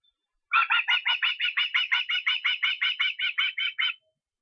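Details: Osprey calling in Estonia on 23 August: a rapid run of about seventeen sharp, downslurred whistled notes, evenly repeated for three and a half seconds, with no other sounds.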